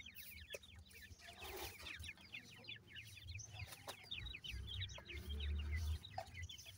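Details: Francolin chicks, irani teetar, chirping in a fast run of high, short notes, roughly four per second, overlapping among several chicks, with low rumbling noise building toward the end.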